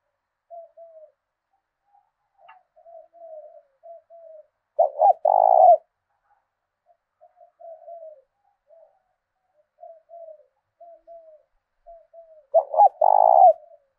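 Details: Spotted dove kept as a decoy, singing the thổ đồng voice style of southern Vietnam: soft low coo notes scattered through, broken by two loud phrases about eight seconds apart, each a pair of quick notes leading into a drawn-out purring coo.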